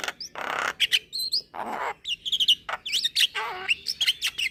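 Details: Young Javan myna singing actively, bobbing its head: harsh broadband rasps mixed with high whistled notes, squeaky chirps and rising trills in a dense, varied medley.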